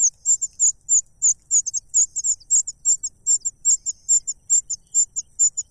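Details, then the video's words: Begging cuckoo stuffed with food yet asking for more: a run of piercing, high-pitched squeaky notes, evenly paced and sometimes doubled, with nothing else audible. "The cuckoo is too greedy, stuffing food into its mouth and wanting more杜鹃鸟太贪婪了，食物塞进嘴里还想得到更多"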